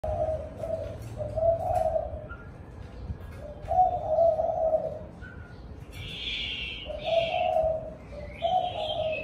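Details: Spotted dove cooing in the evening at a house: low, soft coo phrases repeated in bursts, with a higher chirping bird calling between them near the end.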